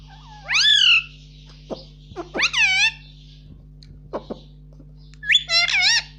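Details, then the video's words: Indoor pet Indian ringneck parakeet talking, saying "mummy" in loud arched harmonic phrases with short clicks and quick notes between them, and a final warbling burst, over a steady background hum. "cute Indian ringneck parrot talking || no stop mummy bolne vala"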